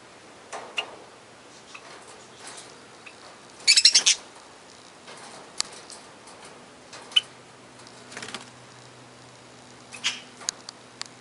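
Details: Budgerigars of various colour mutations in an aviary give scattered short scratchy chirps with one louder warbled burst in the middle, over a faint low electrical hum; finding: budgerigar.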